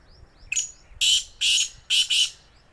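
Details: Black francolin in Sindh, Pakistan, giving a harsh rasping call: a short lead-in note followed by two long grating notes and a final quick double, with faint high chirps before.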